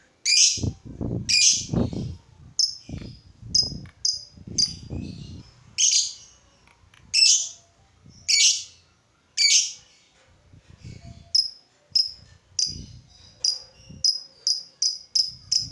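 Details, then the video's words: Lovebird calling to spur other lovebirds to sing, sharp high chirps and squeaks at irregular intervals, some with low knocking underneath, ending in a quickening series of short clipped chirps. "Suara burung lovebird ini ampuh bikin lovebird lain ikut gacor"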